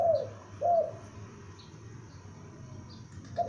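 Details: Calling juvenile spotted dove used as a decoy: two soft low coos about half a second apart, silence, then the start of another coo; faint high chirps in the background.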